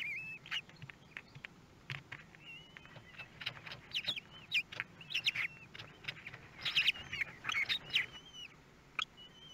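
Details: Common kestrel nest in Théding, France, 24 May 2022, during the hatching of the third and fourth chicks; thin wavering peeps overlap with clicking, rasping bursts that grow denser toward the end.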